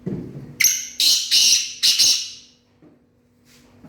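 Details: Black francolin (kala teetar) giving a harsh, grating call: four loud rasping bursts packed into about a second and a half, then near silence with a faint low hum in the background.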